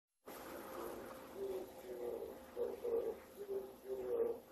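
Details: Oriental turtle dove, a male in Japan singing at dawn in early September during breeding season, calling for females and proclaiming territory; soft low hooting coos in a rhythmic phrase of about eight notes, steady and unhurried.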